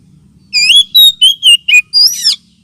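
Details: Oriental magpie-robin lure call, also therapy for birds lacking aggression: six loud whistled notes, level and gently sliding, ending with a rougher rising-falling note, faint low hum behind.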